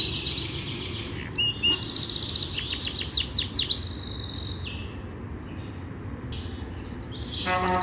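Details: Yorkshire canary training song: a high whistled start, then rapid pulsed rolls and swooping chirps in quick succession, a quieter stretch of soft notes, and a final burst of buzzy rattling.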